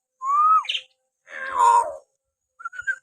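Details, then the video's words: Natural whistling of a common hill myna, played to stir pet mynas to sing: a smooth upward-sliding whistle, a rich harmonic call dipping at the end, then two quick short notes. "masteran burung beo suara siulan alami"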